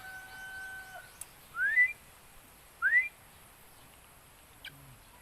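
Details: Young Philippine eagle calling while bonding: two short rising whistled notes about a second apart, with a faint steady whistle and a few soft clicks before them.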